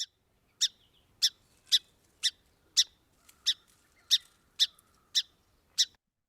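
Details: Song Sparrow alarm call, described as agitated and contrasted with its song: sharp, dry chip notes about twice a second, each abrupt and high, repeated steadily eleven times with nothing else heard.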